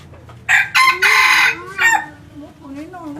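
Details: Crossbred red junglefowl decoy rooster giving a harsh, ragged crow in several rapid bursts lasting about one and a half seconds, with a softer clucking note and faint background sounds afterward.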